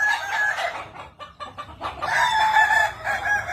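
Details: Kukuak Balenggek chicken crowing, a Minang singing fowl known for stacked, tiered crows; uneven wavering phrases with a brief clucking break midway.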